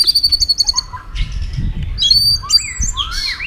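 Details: White-rumped shama singing competitively with quick tail flicks: a rapid series of short high piping notes, then looping whistled and warbled phrases over low background rumble.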